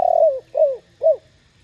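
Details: Spotted dove cooing, a call used to provoke other doves into answering; three loud low hollow coos, the first long and falling, then two shorter arched notes, in a quiet setting.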